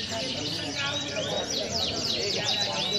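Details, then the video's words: A champion canary sings high, quick arching whistles and sweeping slurred notes, repeated several times a second, over murmuring voices and steady background noise. "Suara Burung | Aksi Kenari Juara"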